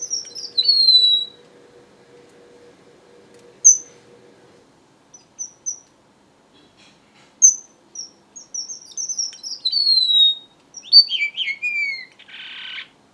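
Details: Strawberry finch song opening with a falling whistle and a few isolated high chirps, then building into a lively series of thin whistles with long downward slurs, ending in a short hiss.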